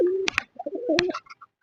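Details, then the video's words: A domestic (deshi) pigeon at a pigeon farm calls with low, throaty coos broken by a few sharp clicks, after rain as the weather clears and sun comes out. "দেখুন আমাদের এই কবুতরটা দেশি কবুতরটা ডাকাডাকি করছে।"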